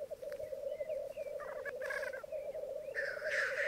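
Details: Black grouse lek, Mykland bog, May 2022 morning, with twelve cocks and two hens. Low continuous bubbling carries faint thin whistles, then a short hiss midway and a louder rising hiss at the end.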